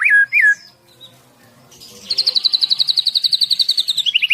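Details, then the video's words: White-rumped shama from Medan, a caged 11-month-old male, singing: two curling whistles, a brief pause, then a long fast trill of rhythmic notes that drops in pitch at the end. "Merdunya Suara Murai Batu Medan Super"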